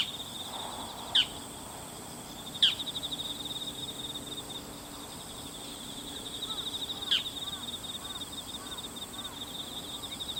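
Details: Bull-headed shrike (Lanius bucephalus), one bird that looked male but may be female, photographed 22 September 2015, not its high-pitched call: three sharp, harsh notes spaced unevenly a few seconds apart over a steady high insect drone with faint soft chirps.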